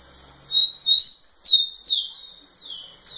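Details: Rufous-collared sparrow singing persistently close to a female: clear whistled notes near level pitch followed by two pairs of quick falling slurred whistles, loud and clean against a quiet background.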